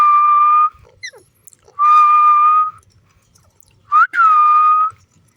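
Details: Green pet parrot, interacting with its owner, gives three long, flat whistled notes about a second each, the last preceded by a quick rising slide, with light tapping sounds in the pauses.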